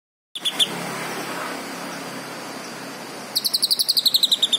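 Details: Green leafbird singing: a few brief high notes at the start, a pause over steady hiss, then a rapid trill of about a dozen short bright notes that drift slightly lower.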